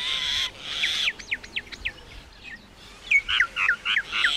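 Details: Common myna: a harsh burst, then a run of clear downswept whistles, a brief lull, and a set of sharper, warbling notes.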